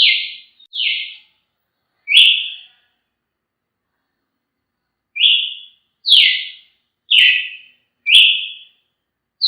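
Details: Brazilian tanager (tiê-sangue) song: short, clear whistled notes sliding downward, given singly or in quick pairs with irregular pauses, some with a faint high click; no other sounds.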